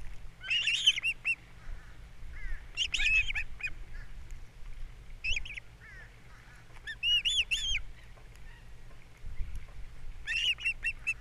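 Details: Nest-camera recording of wild ospreys on Captiva, April 3, 2022, during a morning fish delivery and chick feeding; repeated bursts of sharp, high whistled chirps, several clusters spaced a few seconds apart, with faint low hum beneath.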